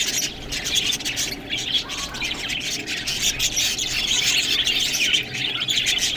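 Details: Budgerigars at green food: an unbroken chorus of shrill chirps, warbles and a few harsher squawks from many birds at once.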